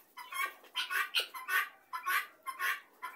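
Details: Helmeted guineafowl gathered together as a flock; harsh, grating cackles come in rhythmic bursts about twice a second, each note rough and wide-ranging, with the chatter running steadily and loudly throughout.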